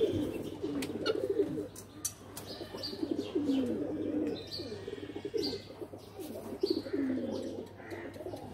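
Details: A flock of pigeons in a loft keeps up an overlapping stream of low, rolling coos, broken by sharp clicks and flutters of wings, with a constant background hum.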